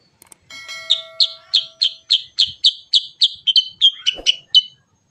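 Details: Sooty-headed bulbul (kutilang sutra) in full song, used as a lure for other bulbuls; a rolling ngerol run of sharp, high chirped notes, about fourteen repeated at a quick steady pace, some steady tones at first.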